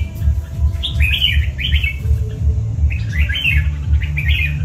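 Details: Red-whiskered bulbul, chào mào cọp type, gives two groups of three or four slurred whistled notes with a pause between them, set against an even, repeating low beat.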